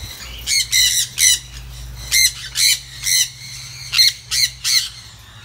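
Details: Sun conures eating freely at a bird farm in Siem Reap, Cambodia, give harsh, screechy squawks in short bursts, repeated at uneven intervals.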